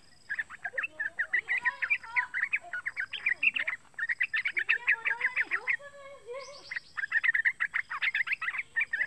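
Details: Juvenile yellow-vented bulbul, roughly three months old, calling as bait to prompt other bulbuls to sing; dense chattering chirps in long runs, mixed with lower sliding whistles from other birds.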